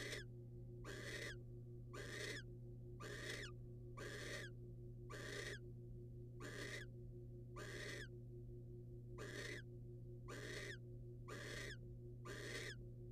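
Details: Wild barn owls, a male bringing a rodent to the female: repeated harsh broadband hissing bursts, roughly one per second in a steady rhythm, over a constant low electrical hum.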